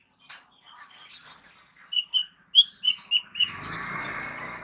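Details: Kolibri ninja sunbird with a rich mimicry fill for tutoring other songbirds: clear high whistled notes stepping downward in pitch, then chirps rising again while faint rustling noise comes in.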